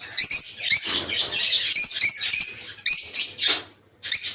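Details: Several peach-faced (rosy-faced) lovebirds in a breeding aviary utter shrill, buzzy screeches in quick overlapping bursts, with a brief silent gap near the end.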